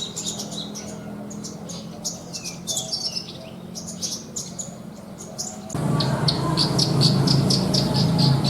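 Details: Javan bush lark kept in a cage for song contests, singing a mimicry-filled song of quick, sharp chirps and clipped whistled notes in bursts; midway a loud broadband noise starts while rapid repeated high notes continue.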